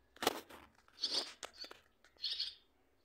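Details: Swallow nestlings with a parent coming briefly to the nest: a loud sharp knock opens, followed by three rasping, buzzy high chirp bursts and a few faint clicks.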